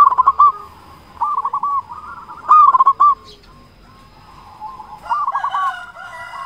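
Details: Local zebra dove singing busily as a lure for doves: short clipped coo bursts repeated roughly every two to three seconds, each trailing into a rolling coo, with a quiet middle stretch.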